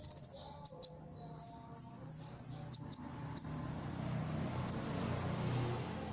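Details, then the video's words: Ruby-cheeked sunbird trained for song competitions: a quick opening rattle, then bright high chips and thin falling whistles at uneven intervals that thin out towards the end, leaving sparse single notes over a low hum. "Kolibri Ninja Gacor Isian Jangkrik Kapas Tembak Cililin"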